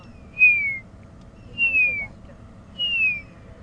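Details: An African grey hornbill flying over on an afternoon-to-sunset safari drive, beside sleeping lions, gives three plaintive, high, down-slurred whistles about one every 1.2 seconds over a faint low rumble of wind and vehicles.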